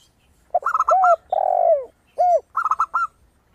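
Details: Zebra dove (perkutut) singing in a 'suara kristal' style, used as a lure recording to prompt other doves to sing; bursts of quick clipped higher notes alternate with deep, arched coos of a spotted dove (tekukur).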